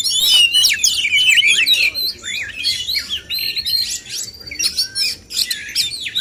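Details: Male oriental magpie-robins (kacer) in a singing contest: dense, overlapping high whistles, sweeping slurs and sharp chirps, loud at the start and pouring out rapidly, about four notes a second, with brief pauses.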